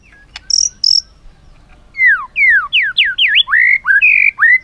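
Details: White-rumped shama song, offered as fill-in material to coax other shamas into singing; two thin, very high notes open, then a fast run of loud, clear whistled slurs, some falling and some rising, about eleven in under three seconds.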